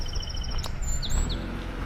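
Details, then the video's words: Birds chirping during a summer morning walk in Belfast, Maine, the day before the 4th of July: thin, high chirps, a sustained whistle followed by a few quick downslurred tweets, over steady low outdoor rumble. "So you can hear some birds chirping."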